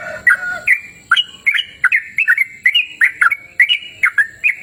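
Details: Yellow-vented bulbul recorded outdoors in a cool, open natural setting: rhythmic run of clear, warbling two-part notes with a rising-then-falling slur, delivered roughly three per second at an even, steady pace.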